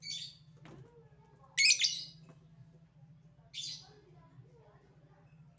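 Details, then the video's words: Lovebird calls in short harsh bursts, a loud grating squawk followed by a shorter one, with a constant low hum and faint knocking. "Burung Lovebird Memanggil Di sertai Ngekek, Di Awali ngetik lanjut ngekek"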